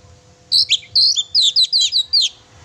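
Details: Oriental magpie-robin singing actively, aimed at provoking a pet bird: a fast jumble of high, twittering and slurred notes, roughly eight loud phrases packed into under two seconds.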